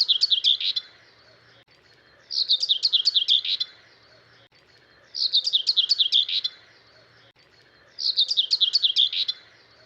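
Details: Common Whitethroat, a spring–summer migrant to the UK that sings perched atop hedgerows, giving short, scratchy, twittering phrases about 1.3 seconds long, repeated roughly every two and a half seconds, high-pitched and hurried.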